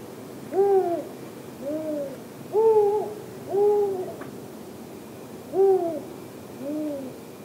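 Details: Arabian eagle-owl (Bubo milesi) chick in Tanomah, Saudi Arabia, giving six soft, low hooting notes, each gently rising then falling, about a second apart, over a faint background hum.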